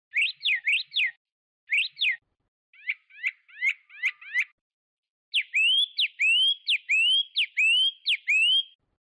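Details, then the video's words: Chinese hwamei song in three sections: triplets of rapid sweeping notes, a run of short buzzy rising notes, then a fast string of clear whistles that climb upward, each phrase separated by silence. "نصف ساعه من تغريد طائر الخوامي Chinese Hwamei"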